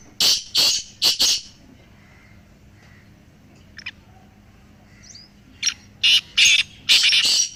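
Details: Black francolins, three birds, calling to spur a quiet pet francolin into calling. A run of four loud, raspy notes opens, faint chirps fill a quiet middle, then another grating phrase of four notes closes. Low background hum.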